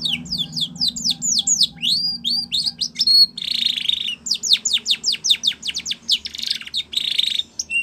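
Spanish Timbrado canary singing fast runs of bright, falling whistled notes, broken by dense metallic buzzing trills.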